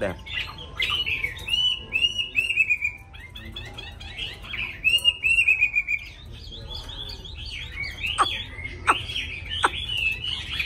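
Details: Tame caged hwamei with a wild-type voice and a habit of singing nonstop, producing long, downslurred whistles and varied rapid phrases, with sharp clicking notes scattered through the later part.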